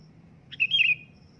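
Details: Sooty-headed bulbul giving a loud calling note: a short burst followed by a bright, slightly wavering whistled phrase, with a steady low hum in the background.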